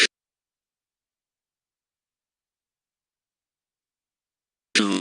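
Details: Mostly silence, with brief bursts of human speech at the very start and end and no animal sound.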